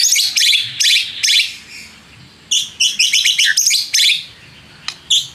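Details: Lure recording of white-rumped shama song meant to provoke rivals: loud, rasping, broadband notes in quick runs, a pause, then a dense rattling series and a few sharp clicks and whistles at the end.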